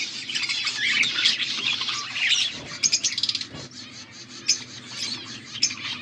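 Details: Budgies chirping, August 14, 2024: dense warbling chatter in the first half, then a run of quick clicking chirps and sparser sharp squeaks.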